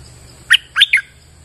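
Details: Bulbul in rainy weather giving three short, loud, rich notes in under a second, the last slurring downward, with a thin high insect hum behind.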